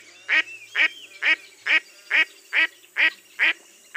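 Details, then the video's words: Mottled duck giving a brisk sequence of honking, raspy quacks, evenly spaced a little faster than two per second, bright and harsh in tone. "Mottled Duck Call"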